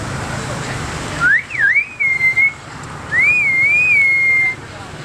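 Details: Common hill myna kept in a cage at a Battambang restaurant, Cambodia, July 2011 dusk, mimicking whistles aimed at passing girls: a quick zigzag of rising-falling notes, then a long wavering whistle, over low urban hum.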